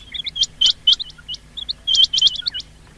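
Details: Rain quail, played for hunting as a lure, giving short runs of crisp, high, clipped notes doubled and tripled, with a few lower chirps mixed in during three seconds of calling.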